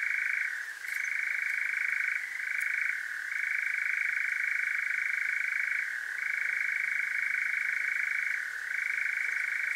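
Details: Wild European nightjar churring at night in Devon, south-west UK, captured with a parabolic microphone: a powerful continuous mechanical trill, unbroken for seconds, dipping briefly in pitch every two to three seconds before resuming.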